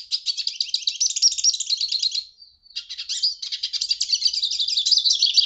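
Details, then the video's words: Two runs of hooded siskin song split by a short gap, each a dense, high-pitched twitter of quick chirps and tinkling warbles. "Hooded Siskin Song, Hooded Siskin Call"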